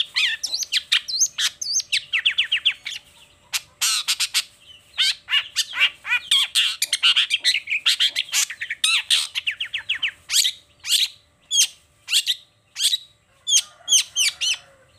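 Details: Long-tailed shrike singing in the morning, unloading its repertoire: a long, busy sequence of rapid rattles, buzzy trills and scratchy notes, ending in evenly spaced sharp calls about every half second.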